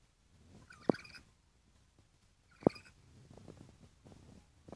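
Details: Lory being sold, with a harsh nasal squawk followed by a sharp knock, repeated twice about two seconds apart. Quieter rustling and tapping follow.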